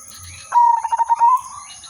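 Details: Silver udanmas zebra dove in full song, used as a decoy to lure birds for trapping. One quick, loud phrase of throaty, stuttering coos beaded together for under a second and ending on a sustained note.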